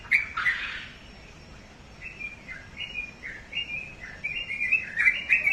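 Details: Pet sooty-headed bulbul singing after a brief noisy burst: a string of short, slurred chirps that come quicker and louder toward the end, with soft background noise.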